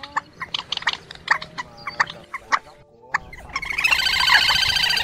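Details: Quốc biển and trích ré calls, old and young birds, used as a lure for night net trapping of migrating birds in March 2024: sharp repeated clicking notes and descending whistles, then a loud hissing wash of noise.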